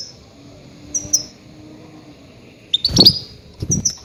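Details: Goldfinch call used to lure grey-headed goldfinches: a few high, sharp chirps, then a louder twittering burst, with low thuds and a faint background hum.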